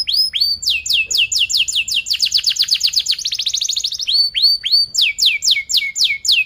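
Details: Canary performing 'cuit cuit' chirps and rolls for juvenile birds to copy: loud repeated down-slurred chirps, a fast dense roll in the middle, then more swooping chirps at a steady brisk pace.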